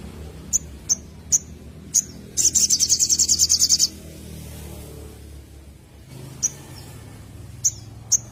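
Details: Little spiderhunter, recorded for luring birds, giving spaced single high chips, then a fast burst of rapid high trilled notes lasting over a second, followed by more isolated chips against a low background hum.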